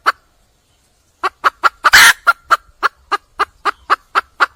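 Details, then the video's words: Calling for a mate, a wild junglefowl hen starts after a second of silence. She gives about a dozen evenly spaced, hard clucks, with a rough, raspy squawk early in the series. "le bruit d'une poule sauvage,เสียงไก่ป่าร้องหาถู่หาตัวผู้,ສຽງໄກ່ປ່າຮ້ອງຫາຄູ່ຮັກ, poj qaib qus see"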